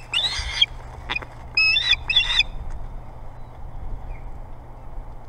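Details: Ospreys fight over a contested nest at the Hog Island Boathouse in Maine. Several harsh, squealing bursts of chirping are separated by short pauses, with low background rumble.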